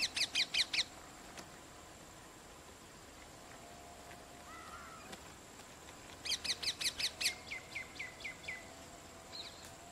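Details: Rose-ringed parakeet, mother eating and feeding two chicks: a fast run of five loud harsh screeches at the start, then a longer series of about six screeches followed by softer clipped notes, with quiet background hiss.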